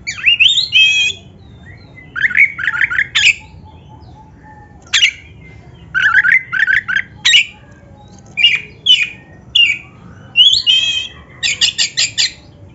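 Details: Black-breasted Oriental magpie-robin (kacer dada hitam) in full 'gacor' song, used as a lure recording to make caged birds sing: bursts of buzzy, rising whistles and rapid chattering phrases separated by short pauses.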